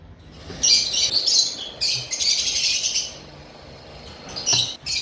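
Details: Male Indian olive ringneck parrot, 3.5 years old, a kept bird in Mirpur, Dhaka, Bangladesh, giving harsh, high, screechy calls in about four loud bursts separated by short pauses.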